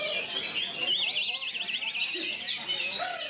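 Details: Oriental magpie-robin singing a fast, quavering high trill that rises and falls rapidly, over a dense backdrop of chirps and a human voice.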